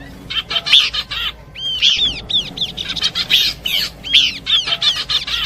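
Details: Lure recording of Horsfield's babbler combination song, continuous busy chattering with repeated arched whistled notes and sharp chirps, almost without pause.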